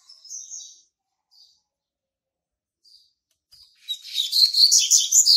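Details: Young male Double-collared Seedeater, hatched in March 2019, already marking its territory. Thin, isolated high chirps separated by pauses give way to a loud, fast, continuous twittering song in the final second and a half.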